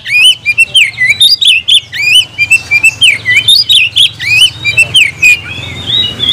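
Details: Oriental magpie-robin repeating a bright, looping whistled phrase roughly twice a second, each note dipping and rising, interspersed with sharp chips; quiet low hum in background.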